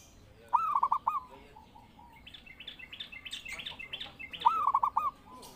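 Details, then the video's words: Zebra dove song used as a lure and master call to train birds, two clear cooing phrases: each a rising note then quick rolling pulses. Softer high chirps from other birds fill the gap between them. "Pancingan Burung Perkutut Gacor"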